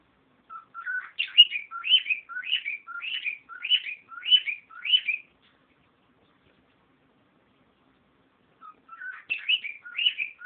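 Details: A pet cockatiel whistles a quick run of rising, slurred phrases, mimicking wild birds' songs; the owner can't identify the species copied and thinks it earlier imitated the Angry Birds game sounds.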